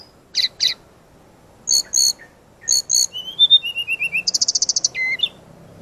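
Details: Brown-chested jungle flycatcher in full, lively training song: spaced pairs of harsh buzzy notes, then a descending series of short whistles, followed by a rapid high trill and a looping whistled ending.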